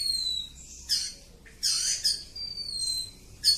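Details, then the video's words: Part of a long ngacor song by an oriental magpie-robin of the kacer kampung type. Thin, high, level whistles are broken by a few loud, harsh, scratchy bursts. "Kacer Kampung. Super Ngacor panjang"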